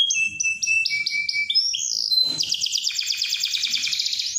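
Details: Canary in full, vigorous song, used as a master bird to prompt untrained canaries to sing along; a run of about six clear repeated whistled notes, then a long, fast, rolling buzzy trill.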